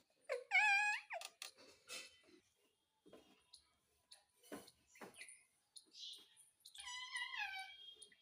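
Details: Talking Indian ringneck parakeet kept indoors, uttering harmonic, word-like calls with sliding pitch at the start and again near the end. Between them come clicks, short taps and scratchy noises.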